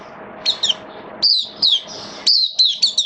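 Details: Oriental white-eye recorded 8 October 2022 during wet, rainy weather; high sliding whistled chirps, some falling in pitch, spaced out over a steady low background noise.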